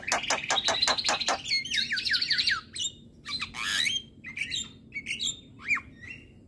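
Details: A male Javan myna sings to provoke other mynas: a quick burst of harsh rasping notes, then a string of looping rising whistles and scattered sharp calls with pauses between.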